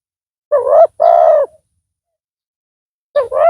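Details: Spotted dove used as a loud-voiced decoy to lure a rival: two rough, harsh, mid-pitched cooing notes in quick succession, a pause, then the start of another pair.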